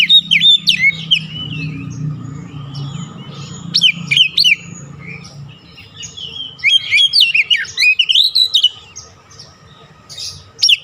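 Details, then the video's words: Oriental magpie-robin singing to stir a silent, stressed bird into full song: rapid bursts of clear whistles, slurred down-sweeps and scratchy trills in uneven phrases, separated by short gaps over a low background hum. "KICAUAN PEMIKAT DAN PERANGSANG BUNYI | Kacer stres macet bunyi langsung gacor"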